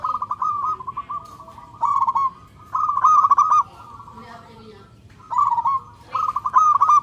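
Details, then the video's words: Local zebra dove calling for a mate, loud and clear: rolling, warbled coo phrases near one pitch, each about half a second long, five bursts in seven seconds separated by quiet gaps. "Perkutut lokal gacor suara NYARING dan KERAS"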